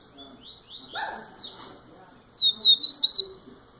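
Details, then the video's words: Double-collared seedeater in its first year sings quieter rising whistles, then after a short gap a loud, shrill phrase of sharp upslurred notes. "COLEIRO NOVINHO MAIS TOP 1¤ ANO DE VIDA"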